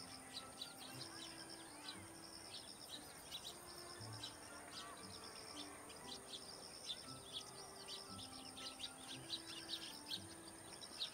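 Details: Young Eurasian tree sparrows (Passer montanus) feeding in a flock on ripening rice in autumn paddy fields near Akigase Park give a steady scatter of short, high chirps, several a second, over soft music and faint hiss.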